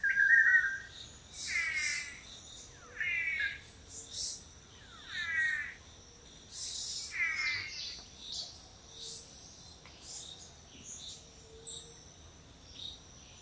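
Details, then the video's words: Male long-tailed manakins performing a lek courtship display in Costa Rica: a brief whistle, then five nasal buzzy calls repeated every one to two seconds, with fainter hissing sounds between them and quieter calls afterwards. "Courtship Dance of the Long-tailed Manakin"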